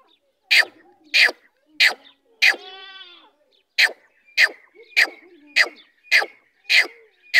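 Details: Female teetar, a grey francolin, giving short sharp harsh notes repeated about every half second, with one longer buzzy rattling note near the middle.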